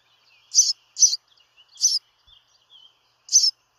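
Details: House sparrow calling with four sharp, high chirps spaced unevenly over a few seconds, the first pair close together, with faint soft twitters between them and no other clear sounds.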